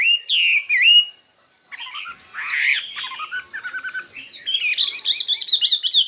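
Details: Singing-contest hwamei showing many voices: a curling whistled phrase, a pause, then descending sweeps, scratchy twittering and a rapid wavering run of high whistles at the close.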